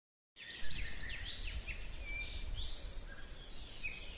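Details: Birds singing in a spring forest: several high chirps and whistled phrases overlap above a steady low rumble of background noise.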